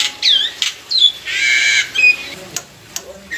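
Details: Caged black-winged myna used as a lure, giving harsh, scratchy squawks and a drawn-out grating note, with a few short clicks and sharp notes after.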